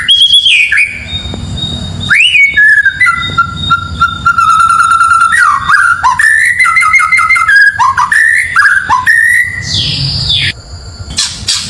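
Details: Shama song passage meant to stir up neighbouring birds: a long, steady whistled note is held for several seconds. Rising and falling whistles follow, broken by quick rattling flourishes and a sharp noisy burst near the end.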